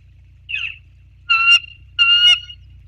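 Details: Bald eagle calling at night on 3 February 2024 at 21:56, three high, squeaky, slightly rising notes within three seconds, the last two longer and clearer, over a steady low mechanical hum.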